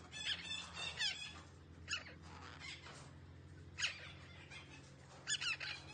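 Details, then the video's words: Green parrot said to be talking, giving short harsh rasping squawks at about 0.3, 1, 1.9, 3.8 and 5.4 seconds, with quiet gaps between them and a steady low hum underneath. "Green parrot talking sounds"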